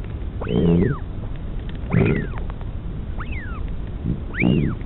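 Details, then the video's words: At the Pukekura/Taiaroa Head albatross colony in New Zealand, a northern royal albatross mother feeds her chick; high arching whistles paired with lower throaty bursts, four in under five seconds, with wind. "Mum feeding chick (with sound)"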